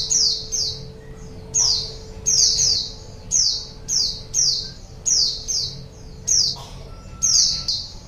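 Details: White-eye calling, used to lure wild birds: bright, high chirps falling in pitch, repeated in pairs and singles roughly every half second, with a faint low hum underneath.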